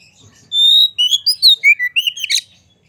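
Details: White-rumped shama singing to provoke other shamas, a short phrase opening with a long clear whistle followed by a string of rising and falling whistled notes.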